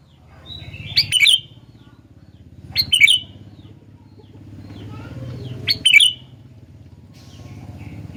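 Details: Sooty-headed bulbul singing: three short, bright chirpy phrases spaced a few seconds apart, over a steady low hum and faint background rumble.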